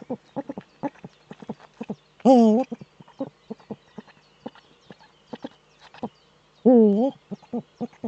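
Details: Nest-webcam recording from northern Rhineland-Palatinate, Germany, 4 May 2013, of a male Eurasian eagle-owl displaying in its nesting niche: dense, fast, short hooting notes with two loud wavering calls, each about half a second long, several seconds apart.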